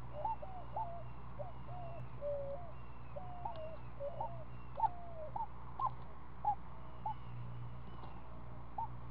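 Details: Week-old owlet of a screech owl at its nest during feeding, making irregular wavering, trilled notes with slurred and bent shapes, spaced unevenly over a low continuous hum.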